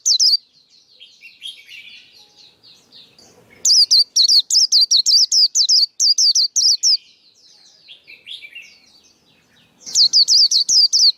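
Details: Male white-eye singing, used as a lure and to train young birds: long soft twittering warbles broken by two loud bursts of rapid, high, looping whistles, about fourteen notes in the first.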